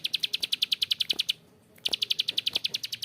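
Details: Two bursts of the coarse 'ngebren' rattle from a bar-winged prinia (prenjak klik), rapid high clicking separated by a half-second silence.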